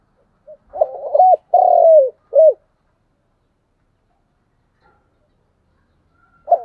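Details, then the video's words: Spotted dove lure call used in the morning to attract wild doves: a burst of hoarse low coos, one drawn-out middle note then a short final coo, followed by silence and a faint coo at the end. "Cu gáy mồi gáy gọi buổi sáng"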